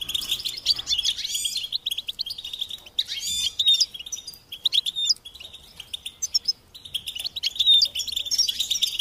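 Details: European goldfinch song from a tape used to teach chicks and stimulate songbirds: rapid, bright twittering with tinkling trills and buzzy notes in bursts, broken by short pauses.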